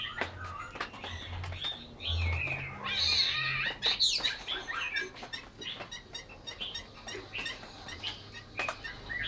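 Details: Caged Chinese hwamei from Vietnam singing a varied run of warbled and whistled phrases, rising to a louder burst of rich notes midway, with a low hum and rustling underneath.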